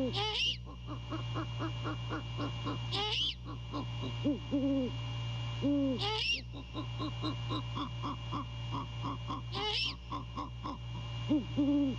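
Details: A male great horned owl calls to his mate at a nest at night in January 2022. A few low hoots sound in the middle and at the end, among repeated raspy screeches, a fast pulsed background chorus and electrical hum.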